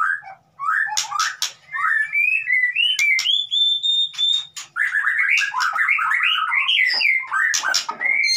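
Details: White-rumped shama (murai batu) singing a 'konslet' lure song used to prompt a silent shama to sing: rapid, varied phrases of rising and falling whistles, with sharp clicks and a long, steady high whistle near the middle.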